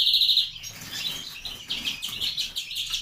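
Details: Captive-bred grey-winged mutation European greenfinch sings a steady, rapid twittering of high chirps and trills, running without pause across the whole passage.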